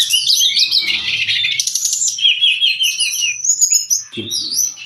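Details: Brown-chested jungle flycatcher song used to teach and provoke caged birds: a rush of dense buzzy twittering, then clear high whistled phrases and quick slurred notes. A faint low knock is heard near the end.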